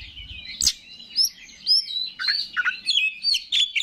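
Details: Oriental magpie-robin, a competition songbird, sings a string of separate whistled and warbled notes, some sliding high, with one loud click early on. Played to excite rival birds.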